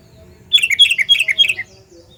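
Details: Sooty-headed bulbul uttering a loud, clear call used to lure bulbuls: a rapid bubbly phrase of about six liquid, slightly falling notes lasting one second, with faint low hum behind.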